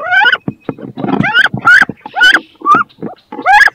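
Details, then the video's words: Two female wood ducks contest a nest box where each wants to lay eggs; loud, harsh rising squeals repeated in quick succession, with muffled scuffling beneath. "CANARD BRANCHU (Carolin) 2 FEMELLES VEULENT PONDRE DANS CE NICHOIR / MOMENTS FORTS / CRIS"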